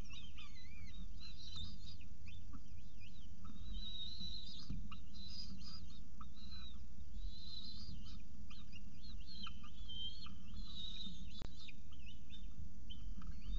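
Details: Peregrine falcon at the nest eating a pigeon, early morning of 24 October 2018 at CSU Orange; a busy run of high wavering whistles and squeaky chirps, some sliding down, beneath constant low rumble.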